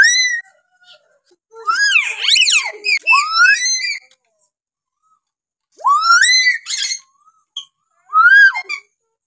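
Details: Hill myna of Kalimantan delivering varied vocalizations: strong whistles sweeping up and down, squealing slurred notes, and later rising whistled phrases separated by short silences.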